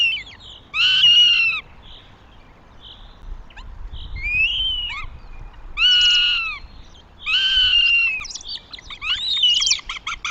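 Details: Northern goshawk at a nest in Tartu, Estonia, recorded 2 June 2025, giving loud, harmonic, slightly falling wails of about a second each, roughly five over ten seconds, with thinner high squeals between.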